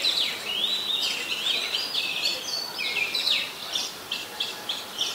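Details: Oriental magpie-robin, a very common resident bird, in song at Ubon Ratchathani, Thailand, 26 December 2020: a fluent string of high whistles and warbles, then a series of short separate chirps.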